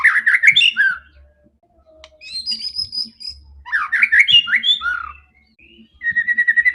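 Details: Aggressive, fighting white-rumped shama used for provoking other shamas: dense warbled phrases alternating with high, thin sustained whistles, ending in a fast even trill of repeated notes.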